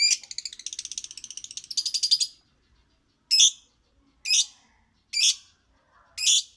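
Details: Lovebird song beginning with a rapid pulsing, chattering trill of about two seconds, followed by four separate piercing chirps spaced close to a second apart.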